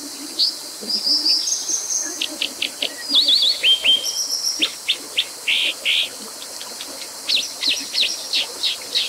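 Brown Dipper giving sharp, high buzzy notes and short warbled phrases, repeated in quick bursts over a steady hiss of rushing water.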